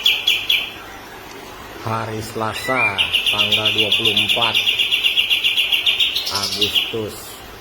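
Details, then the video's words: White-rumped shama (murai batu) master song for training other birds, in the kapas tembak style. Harsh, low, stacked chattering notes come in bursts, then a fast, steady train of high, ringing notes runs for several seconds. "Masteran burung murai batu"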